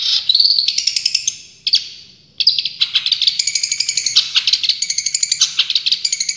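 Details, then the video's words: Long-tailed Shrike, a champion cendet, delivering full tembakan song: a dense, scratchy warble that breaks off briefly, then resumes as a long run of rapid staccato notes at steady tempo, bright and high throughout. "Masteran Cendet Juara full tembakan"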